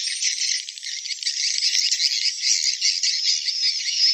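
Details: Swiftlets tied to a swiftlet nesting building in Indonesia: a dense, continuous high rattling chatter of fast clicks and trills without pause, with no low sounds at all.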